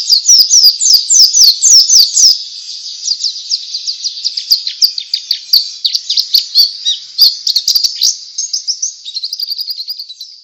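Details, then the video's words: White-eye (pleci) singing ngalas, a style used to prompt other white-eyes to join in: a rapid run of sharp descending chirps, then a rolling, chattering high warble that fades into a thinner, even trill. "Suara Pleci Ngalas Bikin Semua Jenis Pleci Ikut Ngalas"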